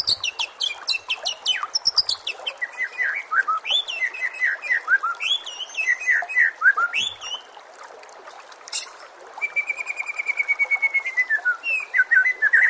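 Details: Long, varied song of a white-rumped shama for training caged shamas: tumbling whistled phrases, sweeping slurs and chatter, then a fast, even trill of rapid notes. Trickling water and nature sounds are in the background.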